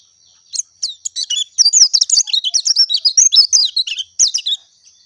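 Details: Song of the oriental white-eye, or pleci dakun: a few spaced high chirps speed up into a dense, rapid twittering phrase of fluttering, sweeping notes lasting about three seconds.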